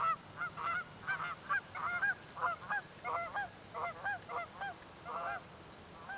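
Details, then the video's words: Alarmed geese reacting to an approaching person with rapid, overlapping nasal honks from several birds, a near-continuous honking chorus with short pauses between bursts. "Geese - The Alarm Has Sounded!"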